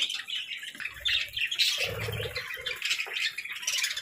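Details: Several pet parakeets chatter softly, giving quick high twittering chirps and brief squeaks in uneven bursts, with occasional low thumps and rustling below.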